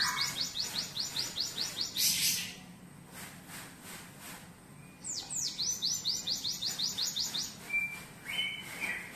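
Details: Canary-tutored cinereous tit in active song: a quick series of sharp high descending chirps, a brief noisy burst, a quieter gap, then another rapid chirping trill ending in a few thin whistles.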